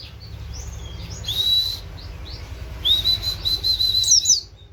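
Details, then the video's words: Oriental white-eye singing canary-like 'wit wit' notes as a master song for training other birds; thin high whistled lines, some short and some drawn out, come in two bursts over a faint low background hum. "pleci nembak wit wit kenari"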